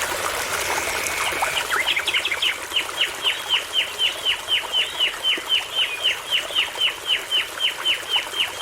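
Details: Common nightingale singing near a babbling brook in forest: a short rattling trill, then a fast run of down-slurred whistled notes, about four each second, over the steady rush of the brook.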